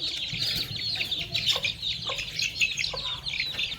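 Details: Farmyard chicks and young chickens happily chirping as they feed on termites: busy, high, overlapping cheeps with occasional faint taps.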